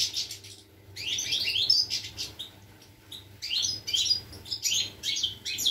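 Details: European goldfinch singing, recorded 25 August 2021, delivering rapid liquid twitters and sweeping trills in repeated bursts of about a second, separated by short pauses, over a faint constant low hum.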